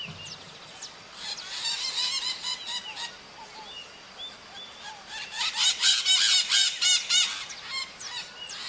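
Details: Maritaca parrots in the wild giving loud, raspy, repeated squawks at roughly four per second, building into a dense chattering run toward the end, with quieter scattered calls between.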